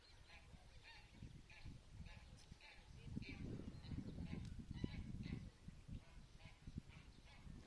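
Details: Greylag goose goslings heading to the water at Lake Neusiedl, guarded by adult geese; short nasal, harmonic honking notes come in rapid, uneven bursts over a steady low rumble of wind or background noise.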